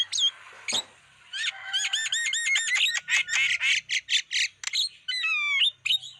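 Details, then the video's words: Lure song of a Black-winged starling to attract wild birds: a few opening whistles, then a dense run of repeated nasal chattering notes and sharp chirps, closing with descending whistled slurs. "Masteran Suara pancingan burung jalak kebo"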